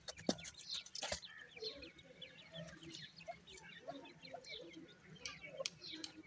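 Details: Night-time feeding of teetar chicks, many faint short peeps overlapping steadily after a couple of loud knocks at the start, over a low electrical hum.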